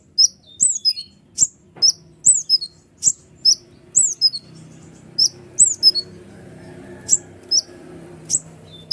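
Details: Excited kolibri ninja sunbird, recorded as a lure to agitate other birds, pours out a long run of piercing high chips and short slurred whistles, roughly two per second, over a low background murmur.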